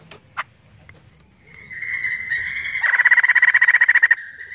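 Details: Crested laughingthrush in lively song, used as a lure to prompt other birds to sing: scattered soft notes, then a rising whistled phrase swelling into a rapid run of loud, harsh, evenly pulsed notes about four per second.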